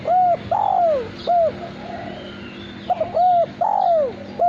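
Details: Captive male spotted dove singing its loud contest coo, two phrases of three notes, short, long descending, short, separated by a pause of about a second and a half, with a low hum throughout.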